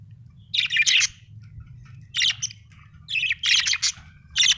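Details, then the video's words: Budgerigar chatter in irregular bursts of rough, buzzy chirps, roughly three to four clusters separated by short pauses, with a low steady hum beneath. "budgie chirping sound"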